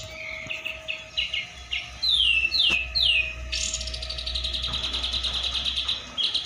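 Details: Tame caged black-naped oriole kept as a pet, waiting for the fast to be broken; a series of bright descending whistled slurs, then a long rapid run of high chattering notes, with soft room noise.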